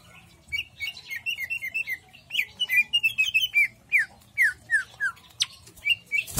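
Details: Greater green leafbird in jamstrok song, a long rapid series of short whistled chirps and down-slurred notes, ending in a sharp click of noise.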